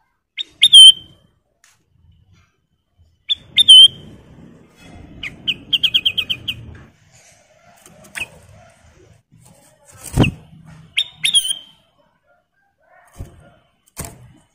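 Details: Kutilang emas bulbul singing, a master recording for training cage birds: whistled phrases with rising upslurs repeat every few seconds, plus a quick run of six staccato notes; a sharp knock near the end.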